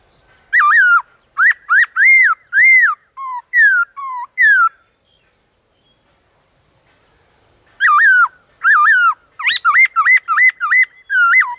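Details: Wild black-throated laughingthrush singing in the forest in a varied, many-voiced style. Loud, clear whistled phrases, each note swooping up and down, come in two bursts of about a dozen notes separated by a few seconds of silence.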